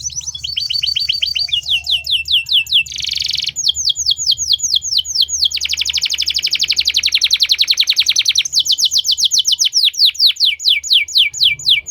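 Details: Canary in full song: long rapid trills of repeated high notes, several quick runs of descending sweeps, a short harsh buzzy burst near the start, and a steady fast rolling trill lasting several seconds, with a faint low hum underneath.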